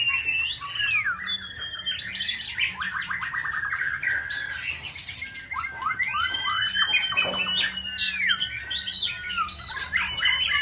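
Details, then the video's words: White-rumped shama in full breeding season, kept as a competition songbird and stimulated into multi-faceted song; a dense run of loud, varied whistles, rapid trills and harsh squawky notes, with high sweeping phrases overlapping. "Kích chòe lửa bông hót đa diện"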